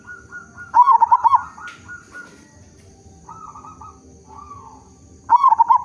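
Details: Actively singing local perkutut, a zebra dove used as a lure to get other zebra doves singing: a rolling, pulsed coo phrase, softer distant cooing between, then a second phrase beginning at the end.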